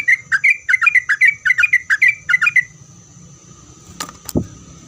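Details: Sooty-headed bulbul in lively, chatty song, meant to make other bulbuls answer: about a dozen quick bubbly, slurred whistled notes in a brisk run for over two seconds, then two sharp clicks against a steady faint high hum.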